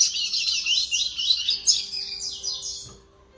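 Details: Fledgling double-collared seedeater rehearsing Terceira Nota / Laranjeira style song on 11 September 2021, giving a continuous run of rapid, high, buzzy warbled notes that fades out after about three seconds.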